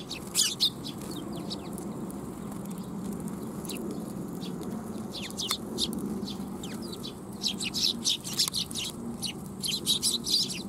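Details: Eurasian tree sparrows arriving to be fed at a Tenmangu shrine in Japan, 12 July 2021; bursts of high, rapid chirping from several birds, quieter in the middle, over steady low background hum.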